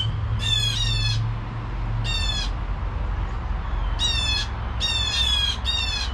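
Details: Blue jays sounding harsh alarm squawks at 7 AM, single and doubled buzzy screeches spread across the clip, with a steady low engine-like drone in the background.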